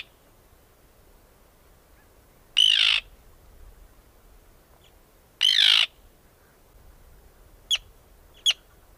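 Arctic tern giving two harsh, grating screeches about three seconds apart, then two short sharp clicks near the end. Otherwise quiet.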